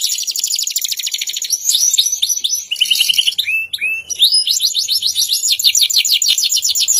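A canary sings continuously in high, rapid rolling trills, breaks briefly into sliding whistled notes, then launches into another fast, buzzy trill.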